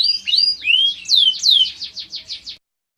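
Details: Song of a fighting canary used in training: looping whistled slurs rising and falling, followed by a series of rapid descending notes that fade, with a faint low hum.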